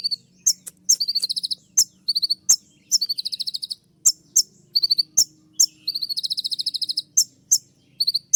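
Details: A kolibri ninja, or olive-backed sunbird, sings long rapid trills of thin, high chirps, eight to twelve notes each. These are interspersed with loud piercing clicks in a dense, shrill shooting-style song.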